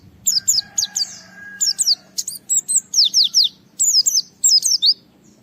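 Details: Japanese white-eye challenging a rival: clusters of sharp, high downslurred whistles in quick groups of two or three, with a faint sustained lower tone early on.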